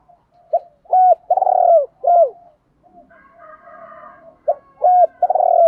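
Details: Spotted doves, male and female, calling in a recording made to stir up doves for training: two loud cooing phrases, each a short note, a clipped double coo and a long burry coo ending in a downward slur, with a soft murmur between them.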